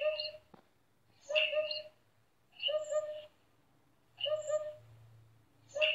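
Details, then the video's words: Eurasian hoopoe (Upupa epops) giving hollow, low 'oop-oop-oop' phrases of two or three notes, repeated about every one and a half seconds over a faint low hum. "Canto da Poupa (Upupa Epops) - Barulho da Poupa"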